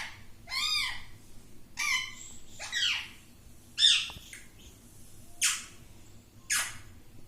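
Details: Talking parrot saying "mittu": separate rough, voice-like utterances, each arched and rich in harmonics, come about every second, with quiet pauses between them.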